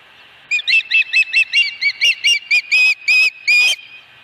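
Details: Nesting osprey at Dunrovin Ranch, 26 August 2020, gives a rapid run of about fourteen shrill chirping whistles, starting short and quick, then lengthening into longer, spaced-out notes.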